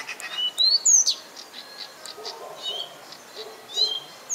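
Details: Common nightingale singing: loud, sharply slurred whistled notes and short rising and falling sweeps, spaced irregularly between softer chirps, with other faint bird calls in the background.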